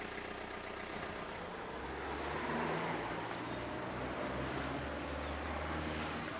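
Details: Passing traffic gives a low, droning hum that swells midway, with no animal voice present.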